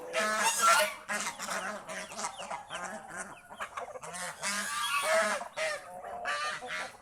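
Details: Geese kept by a household, roaming the fields around the house on a day they are called happy. Continuous loud, raucous honking from several birds overlaps in choppy bursts, with hardly a pause.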